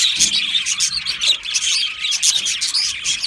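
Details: Australian budgies singing happily in a colony aviary: lively continuous warbling with clear high whistled chirps scattered through scratchy chatter from many birds.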